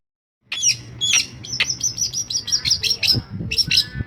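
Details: Long-tailed shrike mimicking other birds: after a moment's silence, a loud scratchy series of high squeaks and harsh chirps, rapidly repeated with little pause.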